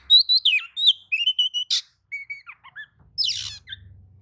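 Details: Oriental magpie-robin singing back at another magpie-robin: a fast series of clear whistled notes and chips, some falling, then a harsh buzzy burst and a faint low hum at the end.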